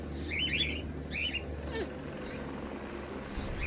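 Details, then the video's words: A pet lorikeet gives three harsh, high screeching calls about a second apart, each a short buzzy burst, over a low indoor hum; Lorikeet. "cute bird lorikeet"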